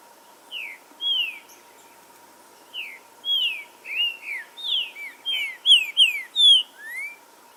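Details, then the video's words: Green-winged saltator song for provoking aggressiveness and singing, forest setting: a run of whistled, downslurred and upslurred notes speeding into a dense burst near the end, over a steady faint hum. "ESQUENTAR TRINCA FERRO NA FLORESTA 🔥 DESTRAVA CANTO NA HORA"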